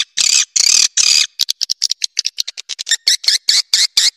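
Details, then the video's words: Sound for luring swiftlets: three long buzzy chattering bursts open, followed by quick short chirps repeated about twice per second, high and dry, on a clean background. "SUARA UNDANG WALET"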